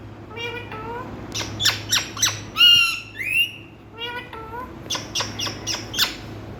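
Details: Indian ring-necked parakeet, an Indian talking parrot, producing quick runs of short harsh squawks and chattering notes, then a longer wavering tonal call near the middle, then more clipped bursts, all over a faint low hum.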